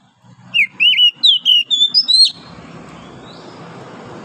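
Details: Wild oriental magpie-robin singing in the forest at dawn: about eight quick clear whistled notes, rising overall, some slurred or dropping at the end, followed by steady background hiss.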